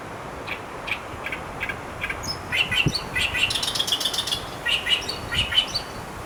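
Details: Asian brown flycatcher, recorded 26 May 2015, giving soft high chirps that run into a rapid trilling series of thin notes, with short pauses between bursts.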